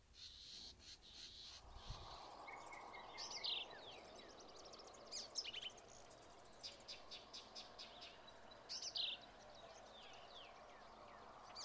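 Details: Black-capped vireo, a small, secretive and threatened North American vireo, gives two short, complex high phrases of sharp squeaky notes about five seconds apart over steady background hiss and faint, scattered chips.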